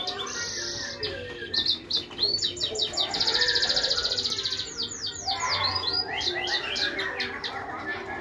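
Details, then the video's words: Finch and siskin hybrid mule in loud, chatty 'gacor tembakan' song: long buzzy trills, rapid repeated chips and sweeping whistles, almost without pause. "FICH HYBRID MULE SISKIN GACOR TEMBAKAN"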